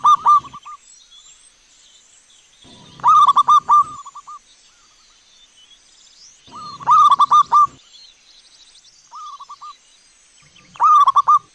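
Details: A lively local wild-type zebra dove gives soft, rolling cooing phrases of quick stuttered notes ending in drawn-out coos, repeated every few seconds with a faint hum behind; a lure call meant to provoke other doves to answer and coo.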